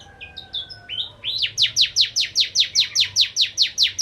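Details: Bar-winged prinia (Javan prenjak) in lively song as a lure for ciblek kristal: a few short high whistles, then a long steady series of sharp downslurred buzzy notes repeated about four times a second.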